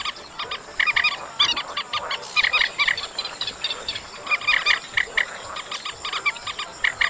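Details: Chestnut munia heard in August giving bright, nasal, stacked notes in quick pairs and short bursts, fairly regular, with a thin steady hiss throughout.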